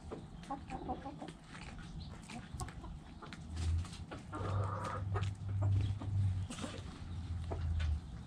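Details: Backyard chickens with scattered soft clucks and one brief louder cackle. A loud, low droning hum pulses through most of the recording.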